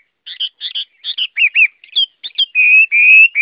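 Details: Chinese hwamei (Garrulax canorus) singing: paired chirpy notes repeated three times, curved warbles and upswept whistles, ending with long sustained clear whistled tones.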